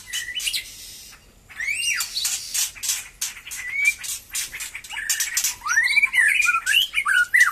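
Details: White-rumped shama just starting to sing freely again after moulting, giving scattered whistled sweeps and slurred rising notes, louder toward the end, among dense clicking and rustling noise.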